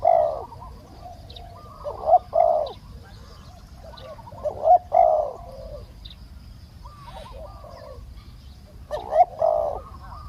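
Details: Decoy spotted dove cooing to draw in a wild bird; a soft-voiced wild dove slow to descend. Groups of deep, throaty coo notes recur about every two to three seconds, with faint thin bird chirps above.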